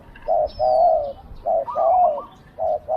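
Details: Spotted dove used as a decoy to lure wild doves, cooing with a small voice: low, hollow coos in short bursts, a clipped note followed by a longer rolling coo, repeated twice with brief pauses.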